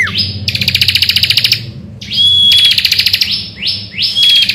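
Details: Morning song of an energetic bar-winged prinia, meant to coax other birds into song. A long rapid-pulse buzzing trill is followed by upswept notes and high steady whistles over more rattling buzz.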